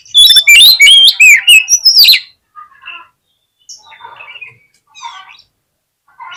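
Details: Oriental magpie-robin lure song for provoking aggression: a dense two-second outpouring of loud mixed whistles and harsh notes, then faint scattered chirps with silence between.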